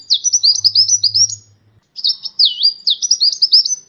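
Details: Champion sunbird (kolibri ninja) recorded as training material for songbirds: two high rattling trills of rapid clipped notes separated by a brief gap, with a faint low hum under the first phrase.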